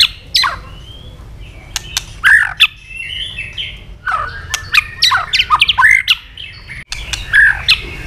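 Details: White-rumped shama flicking its tail while singing a quick, intense fighting song: bursts of sharp clicks, rising and falling whistled slurs and harsh notes, in several clusters separated by short pauses.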